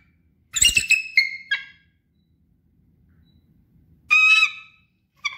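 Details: Bald eagle, a female resident raptor in Sitka, Alaska, vocalizing: thin, high, squeaky chattering calls in a quick falling series, then another burst after a pause and a short final note.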